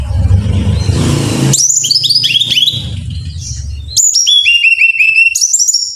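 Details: Brown-chested jungle flycatcher singing in a recording for training caged birds: a burst of low rumbling noise, then varied high downslurred whistles, followed by a fast buzzy pulsed trill with descending steps.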